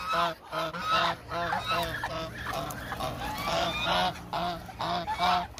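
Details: Hungry Muscovy ducks, a flock of about 1000, give a rapid run of short, harsh honks, one after another, over a constant murmur from the crowd.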